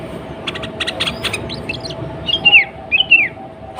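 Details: Sooty-headed bulbul, a female calling to the male as a singing lure; a run of sharp clicks and taps first, followed by two falling, slurred whistled phrases at the end.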